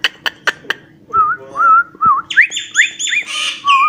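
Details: Cockatiel whistling an imitated song tune, the Johny Yes Papa melody: a few sharp clicks, then wavering mid-pitched whistled notes, followed by rising, raspy, repeated chirps.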